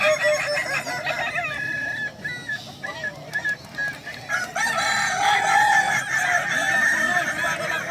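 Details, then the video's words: Several Kukuak Balenggek cocks compete in a crowing contest at Danau Bawah, Sunday 6 October 2024. Choppy stepped crow notes come in short bursts at first, then merge into a continuous, overlapping chorus of drawn-out wavering crows. "Lomba ayam kukuak balenggek"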